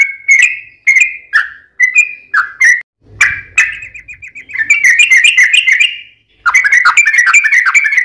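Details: Lure song of a yellow-vented bulbul meant to prompt other bulbuls to answer: quick liquid whistled notes at first, then longer rippling, chattering phrases that run on almost without a break.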